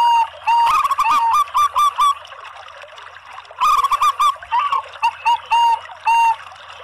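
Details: Local and Bangkok zebra doves singing to lure other zebra doves. Two phrases of fast rippling staccato notes that slow into separate clipped coos are split by a quiet gap, ending with a few evenly spaced clear notes.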